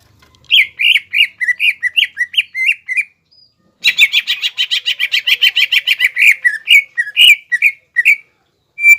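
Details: Greater green leafbird singing gacor to provoke rivals, a caged cucak ijo: a row of wavering whistled notes, a short gap, then a dense rattling burst giving way to looping whistles.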